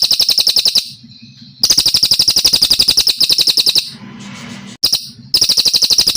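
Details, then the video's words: Brown cililin from Kalimantan, a master recording for training songbirds: long, clean bursts of rapid high trills repeated about four times a second, broken by short pauses with faint low hum. "Masteran cililin gacor panjang dan bersih,Suara cililin asli kalimantan (cililin coklat)"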